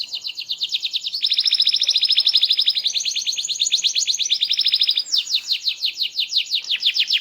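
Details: Canary with a small body and a loud, sweet, varied song, delivering an unbroken sequence of rapid rolling trills that shift slightly in pitch, ending in a faster series of sweeping notes.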